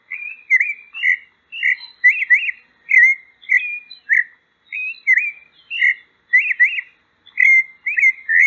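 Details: A pale-breasted thrush, called sabiá-branca in Brazil, delivers a long sequence of rapid whistled notes, paired and triple phrases with sharp up-and-down slurs, repeated steadily over several seconds.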